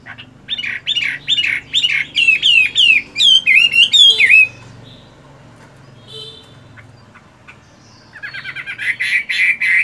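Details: Hwamei fighting bird, moulting yet practising its voice in the morning: a fast series of repeated sharp whistled notes rising into looping trills, a quiet gap, then another rapid burst of buzzy repeated phrases.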